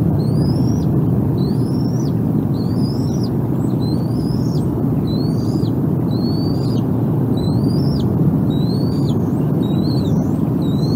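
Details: Nest of bald eagles with two always-hungry eaglets, recorded April 14, 2021: a long run of thin, high whistled calls, each rising then bending down, given in quick irregular bursts beneath constant loud rushing noise.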